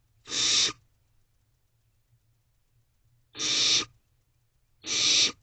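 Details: At night in a nest box, a young barn owl spreads its wings in display in mid-May 2023. Three rasping, noisy hisses, each under half a second, are separated by long quiet pauses.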